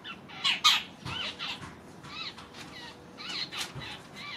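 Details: A grey francolin with chicks gives short, harsh, arched notes, repeated irregularly several times a second, with a faint steady hum underneath.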